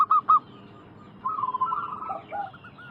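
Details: Local zebra dove heard in a lure recording for wild doves. Two short, loud clipped notes open, followed by a softer wavering run of rolling coos and a few lower, falling notes.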